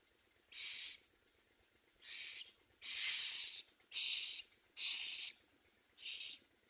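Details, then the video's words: Nestling common mynas at their nest producing six loud, breathy, hissy calls of about half a second, spaced irregularly at around one per second, some louder than others. "Common myna The baby birds under it do not eat"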